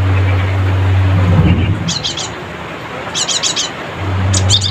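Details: Cinereous tit (gelatik batu) calling rivals with short bursts of fast, high, sharp repeated notes in three groups, above a continuous low mechanical drone.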